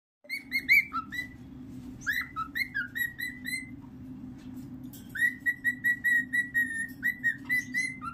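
A cockatiel sings a run of clear whistles, some sliding and warbled, then a steady repeated series.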